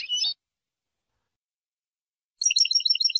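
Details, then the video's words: European goldfinch tutor recording in the Jordanian style: a brief twittering note cluster, two seconds of silence, then a quick run of evenly spaced high chirps over a thin sustained tone. "شريط تسميع حسون لغه الأردن خالي من الأخطاء"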